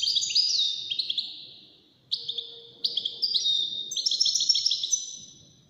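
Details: Song-competition European goldfinch delivering rapid, tinkling twitters in bursts separated by short pauses, notes sliding downward in pitch, with a brief low tone in the background.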